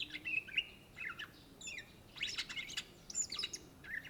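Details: Cucak ijo, the greater green leafbird of Indonesia, in energetic song: dense run of clear whistles, rapid trills and buzzy sweeps, almost continuous high phrases with brief gaps.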